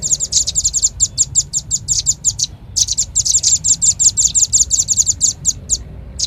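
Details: Repeated lure call of a velvet-fronted nuthatch: quick, thin, high chips in long runs, a brief break, then renewed rapid chattering.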